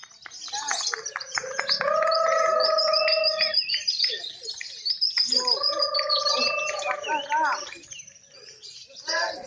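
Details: Competing lovebirds at a singing contest judged on continuous, active chattering: rapid clicking bursts leading into long steady whistled tones, repeated twice, over constant high-pitched chatter from many birds, with faint crowd voices.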